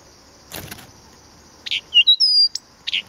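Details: Blyth's reed warbler (Acrocephalus dumetorum) sings at Planta, Podlaskie, Poland: after a soft rustling knock, a brief phrase of buzzy notes, short clear whistles and one drawn-out high whistle.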